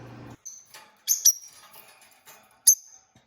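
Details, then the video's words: Peach-faced lovebirds kept as a pet couple give a few sharp, shrill chirps, one thin squeak and scattered softer rustling, after a short low hum at the start. "Peach-faced Lovebird Singing & Chirping Sounds"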